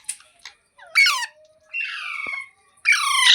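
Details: Pet parrot, filmed as talking, giving a short harsh squawk, a drawn-out nasal note held about half a second, and a final loud, rasping call.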